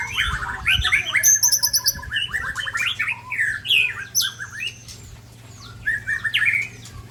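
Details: White-rumped shama of the Ujong Pancu type, singing rare learned fill-in phrases: rich whistled and chattering notes, quick rising and falling slurs, high thin trills, with a steady low hum behind.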